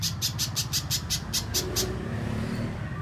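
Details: Little spiderhunter lure sound: around ten quick, sharp high chips that stop after under two seconds, leaving only a low background hum.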